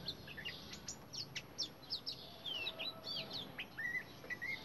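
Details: Indian robin singing in a green garden: a busy run of short, sweet chirps and quick slurred whistles, high-pitched and varied, with a low background hum.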